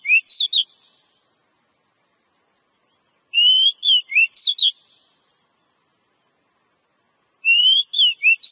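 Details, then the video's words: Oriental magpie-robin (kacer) song used as training audio to make the bird sing diligently: three bursts of clear, sharply rising and twisting whistled notes, each phrase about a second long, separated by silent gaps. "Suara Burung Kacer ' Agar Kacer Rajin Berkicau'"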